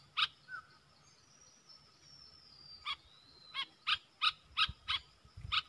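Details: A caged bulbul (merbah lekir) duels in song with wild birds on 3 October 2021, giving a run of short, bright, chattering notes about half a second apart; a faint, thin, falling whistle sounds behind.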